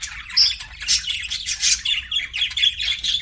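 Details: Pet budgerigars in a group give quick, scratchy chirps and bright squeaky notes, roughly two per second, rising and falling in loudness without any gap.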